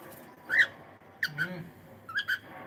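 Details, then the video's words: Cockatiel singing in the morning: scattered short whistled chirps, one strong rising note then a pair and a later pair of brief upward-sliding whistles, with a faint low murmur in between. "cute Cockatiel singing and sound"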